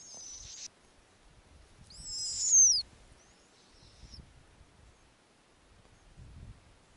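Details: Snowy owl chicks at an Arctic nest, summer night, the mother returning with a lemming for her eight owlets: a high hissing call, then a louder wavering screech that ends in a falling whistle, then a faint short call.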